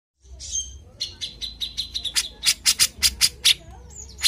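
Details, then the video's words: Grey-cheeked bulbul (cucak jenggot) singing energetically: a soft whistled opening, then a quickening run of sharp, high chirps that grows louder toward the end, with little background noise. "PANCINGAN CUCAK JENGGOT GACOR"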